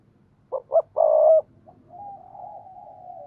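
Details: Spotted dove giving 'thúc gù' cooing, played daily to train newly caught doves to coo: two short low coos, then a long, loud, steady coo, followed by a fainter drawn-out tone.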